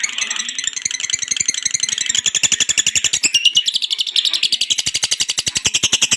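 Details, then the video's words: Lovebird ngekek, a long rattling chatter played to make birds sing: steady, rapid, strongly pulsed high trill, about four pulses a second, loud and continuous throughout. "Terapi Burung Lovebird biar Cepat Gacor"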